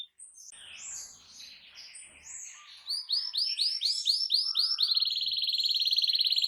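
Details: Loud canary song aimed at prompting other canaries to sing; soft jumbled twitters lead into a string of bright upswept notes, then a very fast, level, buzzing trill.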